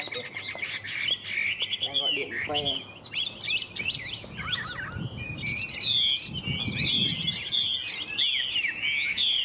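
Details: Chinese hwamei from Vietnam in full song: long sequences of varied whistles, rapid trills and sweeping slides, with some faint low rumbling beneath the louder passages.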